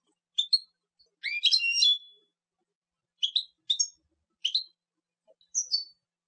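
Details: European goldfinch producing scattered bright chips and a brief burst of tangled twittering. Spaced call notes follow, with pauses of silence between.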